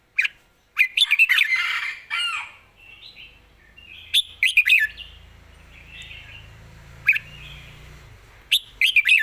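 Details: Red-whiskered bulbul song praised for good phrasing and a light voice: bursts of quick, bubbly, warbled notes come in short clusters separated by pauses, with soft rustling and faint low background noise.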